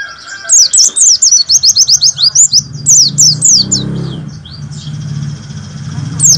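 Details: White-eye tutor song for teaching caged birds, meant for morning dew time: long fast series of high, sharply slurred notes, about two dozen, briefly broken, fading into hum with one final note.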